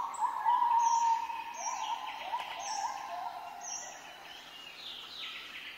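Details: A pair of zebra finches at a bird farm in Sidoarjo, East Java, Indonesia: the male sings a buzzy, nasal courtship song of quick repeated notes, wooing the female.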